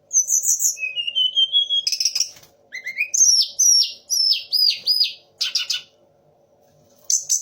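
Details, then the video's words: Sunda laughingthrush mimicking magpie-robin, shama and orange-headed thrush in one song: rising whistles, a harsh burst, then a string of looping downslurred whistles repeated about every half second. "TLEDEKAN GUNUNG DENGAN TIGA RASA BURUNG"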